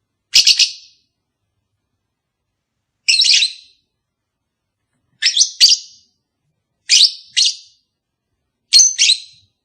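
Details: Pet lovebird call meant to prompt a long-unmated pair into mating: a series of shrill, scratchy chirps every one to two seconds, several given as quick double notes.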